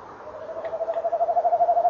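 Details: Male tawny owl at a nest box on a November evening at 18:17, 2013, on a nest-box camera: a rapid bubbling trill on one steady pitch, growing louder and faster-pulsed over nearly two seconds.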